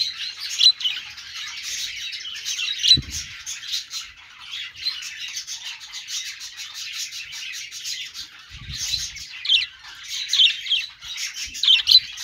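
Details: Pet budgies chatter without pause in dense, grating twitters and chirps, with occasional louder squeaky accents and a couple of faint low bumps.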